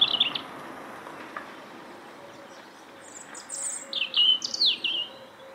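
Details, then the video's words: Bird song: clear high chirps and short rising-falling whistled notes, a brief burst at the start, then a quick run of bright chirps in the second half, over a quiet background. "CHANT OISEAU"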